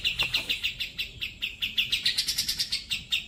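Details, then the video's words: Grey-cheeked bulbul (cucak jenggot) song used for training pet birds: a steady string of sharp, clear chirps, roughly three per second, rising slightly in pitch toward the end. "suara burung cucak jenggot Masteran Paling Gacor"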